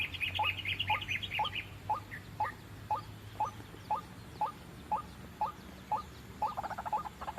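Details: White-breasted waterhen lure for trapping: evenly spaced short rising notes about twice a second, with a burst of high twittering from other birds at the start and again at the close.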